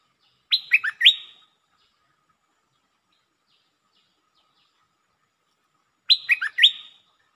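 A Red-whiskered bulbul gives two short bursts of bright, bubbly whistled notes, three quick phrases each, about five seconds apart, with a quiet background.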